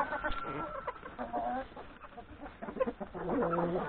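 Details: Yard flock of hens and three roosters feeding at breakfast before going out to graze in the forest; soft, irregular clucking and low throaty notes, with a steady tone near the start and louder calls at the close.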